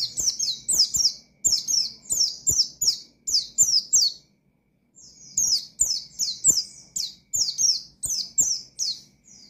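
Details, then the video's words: Energetic Oriental white-eye song in the 'nembak' style aimed at rousing rival birds: dense strings of very high, sharp descending chirps, roughly three or four a second, broken by a brief pause midway before resuming. "Burung Pleci Gacor Ngalas Nembak Mangil Lawan,Memicu Emosi Pleci Bahan"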